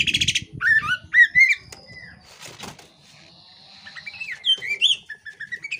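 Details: Female Oriental magpie-robin (kacer poci) in breeding condition with tail spread: a few bright whistled notes at the start, a middle stretch of flapping and noise with a long thin tone, then more slurred whistles.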